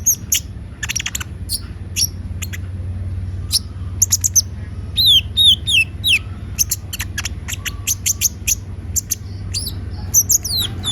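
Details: Kolibri ninja (konin) singing energetically: dense high-pitched chirps and ticks with repeated short downslurred whistles clustered in the middle, rapid and irregular, over a constant low hum.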